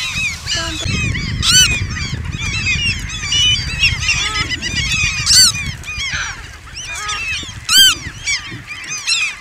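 A flock of Eurasian coots calling all at once, a dense chorus of short, sharp, honking and yelping notes over a low rumble of wind or water.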